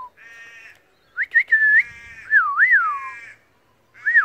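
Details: Australian pied butcherbird, a wild bird that copies other birds' songs, gives buzzy harmonic notes mixed with clear rising whistles and a wavering, downward-sliding fluty phrase.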